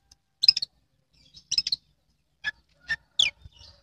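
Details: Caged oriental magpie-robin entered in an online singing competition in Indramayu, Indonesia: short, sharp chattering bursts of high, scratchy notes, separated by brief silences, the last phrase a falling whistled sweep.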